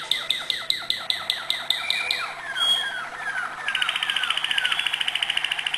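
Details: Malinois canary singing high notes, a run of about twelve evenly spaced, falling whistled notes, a brief pause, then a rapid, steady rolling trill of bright pulses that carries to the end.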